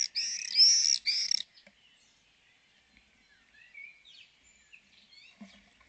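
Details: Common swifts at a colony in Spiez, reunited, give two shrill, harsh screams in quick succession, then fall quiet while faint, thin chirps of other small birds carry on in the background.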